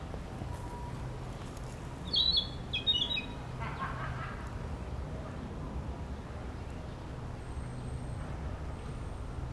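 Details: A Narcissus flycatcher practising its song in an urban park gives a brief burst of high, sharp whistled notes, followed by a few lower, softer notes, over steady low traffic hum.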